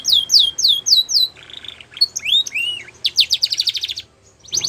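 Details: Belgian canary delivering five clear downslurred whistles, then a low buzzy roll, looping slurred notes and a rapid chattering trill before a brief pause.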